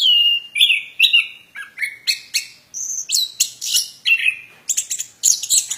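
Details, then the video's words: Song of a plontang bird opening with a long pure whistle, then a rapid sequence of upslurred chirps, buzzy high notes and scratchy trills, closing with thin squeaky sounds. "Burung Plontang suara mantab Gacorr"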